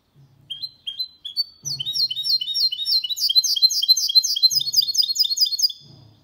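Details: Clean song of a goldfinch × canary hybrid, played to encourage males to sing and help chicks memorise it; a few upswept whistles lead into a dense, rapid chain of high, rippling trilled notes with faint low knocks.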